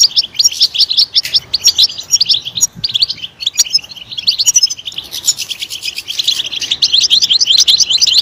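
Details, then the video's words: Energetic European goldfinch song: fast, bubbling twitters and buzzy trills in long phrases, dipping briefly in the middle before a loud, rapid final run. "Stimulating a goldfinch clip to make it chirp in a loud and wonderful voice"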